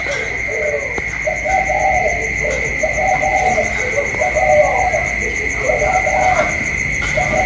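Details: Spotted dove decoy bird calling in a duel with a wild dove outside, recorded 27 October 2022: phrases of soft, low, burry coos repeated back and forth about every second, over a steady high electrical whine.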